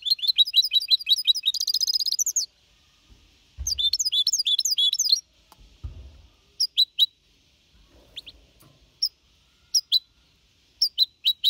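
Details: Goldfinch hybrid aged four and a half months, clean Malaga-copy song, 2021: quick twittering, a buzzy trilled phrase, another twittered burst, then scattered single high chips with faint knocks between.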